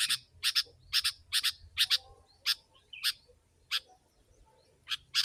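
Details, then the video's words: Sooty-headed bulbul in a lure recording for wild birds, very chatty and dense: sharp, bright chirps in quick pairs and singles, about a dozen in five seconds, with a faint low rumble beneath. "Kutilang si.ladusing super gacor suara rapat menekan burung liar"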